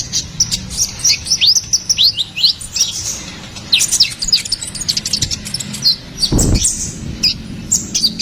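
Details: Ruby-cheeked sunbird in energetic full song: thin, high chirps and quick upslurred whistles in rapid bursts, with a brief low thump partway through and faint background hiss.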